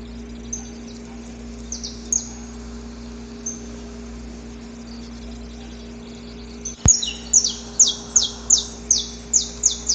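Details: Wild male saffron finch singing in the pre-dawn dark during courtship of a female: a few scattered high chips, then a sudden click and a fast run of about ten harsh, descending notes. A low electrical hum continues throughout.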